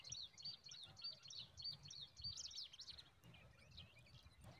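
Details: Zitting cisticola at the nest, newborn chicks being fed a large mantis: thin, high squeaky chirps in quick overlapping bursts, about two a second, over a low rumbling background.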